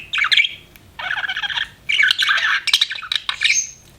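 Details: Budgerigar chirping: clipped, buzzy chatter phrases separated by short gaps, mixing harsh squawky notes with a few higher, thin whistled tones near the end.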